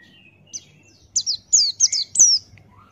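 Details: Male Buxtoni white-eye giving energetic 'ngalas' tutor song: a rapid phrase of high, bright, down-slurred notes ending in a longer falling whistle, with a faint low hum and soft lower chirps behind.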